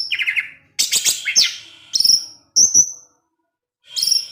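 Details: Afternoon song of an orange-headed thrush in teler style, aimed at stirring rival thrushes: bursts of bright, high chattering and descending slurred notes broken by short silences.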